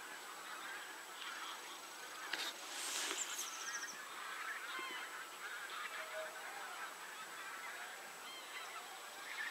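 Geese give harsh, nasal honks in a loose, overlapping series, loudest around the third second, over a steady background hiss.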